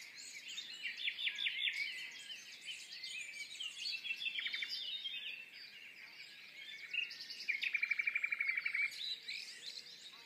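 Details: Common nightingale in the dawn chorus at Woods Mill, hidden from view: varied fluty phrases among other singing birds, ending in a rapid, even rattle of repeated notes lasting over a second, then quieter chorus.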